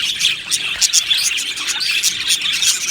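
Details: Happy budgerigars in a flock give a dense, continuous wash of overlapping high chirps and warbles, with no pauses and many birds calling at once.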